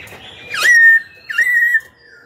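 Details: Black-throated laughingthrush singing to provoke rival birds into fighting and to train young birds' voices: two loud, clear whistled notes, each opening with a brief sweep and then holding a long, steady pitch, separated by a short pause.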